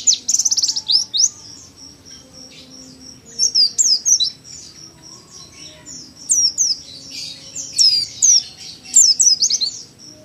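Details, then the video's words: Young Oriental white-eye in 'nembak' song style, kept at home as a tutor bird: bursts of high, thin, rapid descending chirps, some over a second long, separated by pauses, with a faint low hum beneath. "PLECI PAUD NEMBAK LUMAYAN BUAT MASTERAN DI RUMAH"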